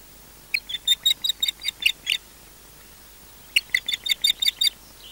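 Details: At an osprey nest at Loch Garten, Scotland, in 2013, while a returning osprey is defended against, an osprey gives two quick bursts of about ten sharp, high whistled notes each, with a short quiet gap between.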